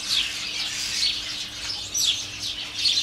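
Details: Colony of house sparrows in a garden, many hidden in a holly tree and about thirty more in a flowering currant, heard from a kitchen door: a dense, continuous chorus of high, overlapping chirps swelling and fading.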